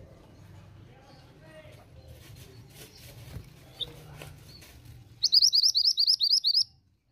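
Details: A female pied bushchat in full song, played to draw a response from males, gives a quick burst of about ten sharp, high chirps in under two seconds, after several seconds of faint background murmur.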